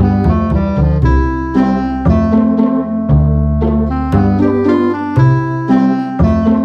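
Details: Piano or electric keyboard music plays steadily with repeated chords and a simple melody, with no animal sounds heard.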